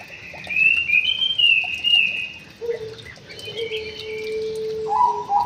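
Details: Caged white-rumped shama in an aviary gives high slurred whistles, then a long steady low whistle, and ends with a few mid-pitched notes over a quiet hiss.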